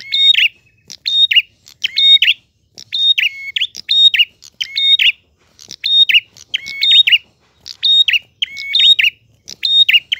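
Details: Prinia singing loudly and persistently, a clear voice: high, sharp chirped phrases with ringing whistled notes, repeated about once a second in an almost unbroken series, with no other sounds.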